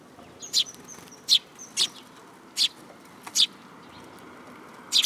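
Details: Several sparrows flying in for food offered on a hand at a Tenmangu shrine, 7 July 2022: clipped, bright chirps every half second to second, over faint thin whistles and a soft background hiss.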